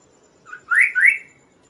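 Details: Kaso-kaso bird song used as a master and lure for other birds: a soft lead-in note, then two bright, rising whistled phrases in quick succession.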